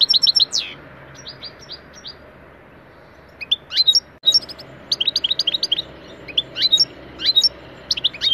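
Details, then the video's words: European goldfinch singing a lesson song for pet goldfinches: a slurred downward note and scattered high twitters, a brief quiet spell, then lively bursts of sharp chirps and buzzy trills. "EFSANE SAKA KUŞU ÖTÜŞÜ iLE MEST EDİYOR"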